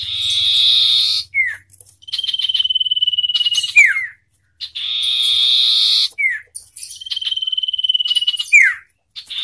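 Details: Common iora song in a singing contest between a wild bird and one hand-raised from young: long steady high buzzy tones alternating with a sustained pure whistle, each ending in a sharp descending slur, repeated in cycles.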